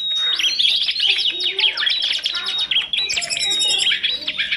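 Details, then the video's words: From a tutoring compilation of oriental magpie-robin, tledekan gunung and prinia: a long sustained high whistle leads into a rapid series of sweeping chirps, then dense twittering until the end. "TOP masteran kompilasi kacer,tledekan gunung dan prenjak,gacor dor"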